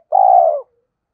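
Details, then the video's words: Single sustained coo from a decoy spotted dove: a steady low hollow note, loud and clean, about half a second long, fading slightly at the end. No other sounds. "Chim Cu Mồi thúc và gáy gọi cực đỉnh, gáy gọi hai hậu"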